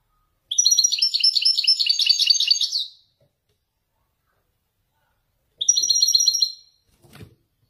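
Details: Caged male European goldfinch of Wajdani type from Morocco, singing authentic Marrakech-style descending phrases: a rapid, twittering, tinkling burst of about two and a half seconds, a long pause, then a shorter one-second burst, followed by a faint click.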